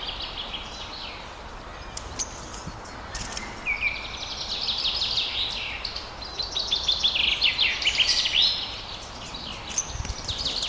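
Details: Pet lovebirds in Pakistan, blue opaline and parblue opaline, with scattered clicks and short chirps building into rapid, high twittering chatter that swells and fades.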